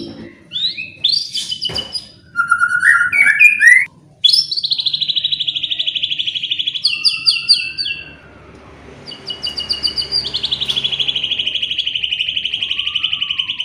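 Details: Song of a white-rumped shama played to spur other birds into singing: quick chirps and rising notes, then a long, high, rapidly repeated buzzy trill that continues after a short pause.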